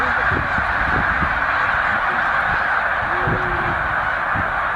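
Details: A huge migrating flock of snow geese, roughly 100,000 birds, resting at Middle Creek wildlife refuge on the way to their Arctic breeding grounds. Countless honks blend into one unbroken clamour, with some deeper single calls rising from it.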